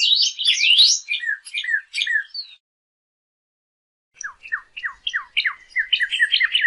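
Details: Northern cardinal song, played as a recording for teaching captive birds to sing: a jumbled burst of bright slurred notes, a pause of over a second, then a run of quick, repeated, falling whistles.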